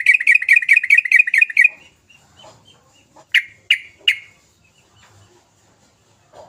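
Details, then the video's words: Agitated sooty-headed bulbul (trucukan) on a lure track for getting lazy birds to sing: a fast run of about ten repeated bright chirps, then three separate sharp, downslurred notes spaced under half a second apart. "Kicau trucukan gacor Emosi Dorr pancingan trucuk malas bunyi jadikan trucuk sepasar gacor"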